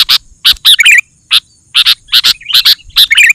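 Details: Lively sooty-headed bulbul ('gacor') sound to make other bulbuls answer: strong doubled chips alternating with brief bubbly whistled flourishes, about four groups in the clip.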